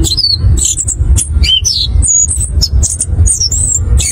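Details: Orange-headed thrush (anis kembang) singing a ngerol ngeplong lure song: continuous chatter of shrill, varied whistles and quick slurs, densely delivered, with a steady low hum beneath.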